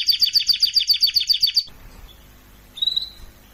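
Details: Canary song for training, a rapid even trill of about ten notes lasting under two seconds, followed by near silence and one short whistled note.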